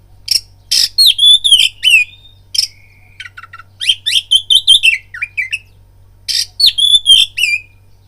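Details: Oriental magpie-robin lure song to trigger fighting: rasping bursts followed by slurred whistles, a thin sustained whistle, chattering notes, and a final harsh burst with falling whistles, over a faint hum.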